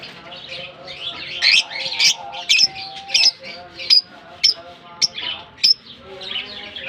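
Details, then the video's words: Lovebirds in a colony in Germany during warm summer weather after release; loud shrill chirps repeated roughly twice a second over background chatter of many birds. "Japan lovebirds release in colony season off come to summer 🌞 off season bird good chirping sound"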